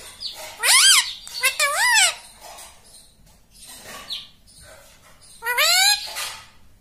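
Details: Pet rose-ringed parakeet indoors, prompted with repeated mami, answering with several loud rasping arched syllables grouped in pairs, then quieter murmuring and a final rising screech, with faint room sounds between.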